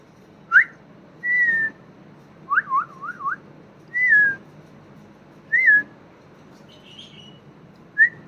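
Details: Bulbul with three nestlings on a balcony: short, clear whistled notes, some slurred downward and one quick wavering run, about a second apart; the chicks beg at whistles, thinking their mother has come.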